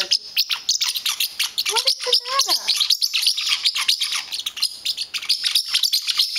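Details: Caged pet parrotlet guarding his blanket, angry when it is touched: continuous fast scratchy high chirps, with a woman speaking softly in the middle.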